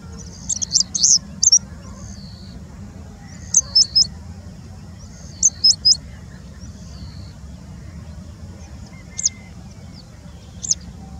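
A Bengal bushlark sings high, thin, sharp notes in short bursts, copying the calls of a citrine wagtail.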